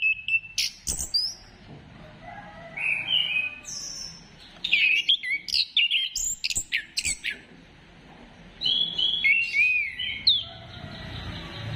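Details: Stimulating song of an orange-headed thrush: scattered sharp clicks and whistles, then a vigorous run of chattering, slurred phrases in the middle, a pause, and more high warbled whistles at the end.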